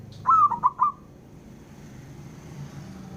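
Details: A male zebra dove from Java, calling so that rival birds answer, gives one bright mid-pitched phrase of three cooing notes that fall off slightly, then quiet low background hum.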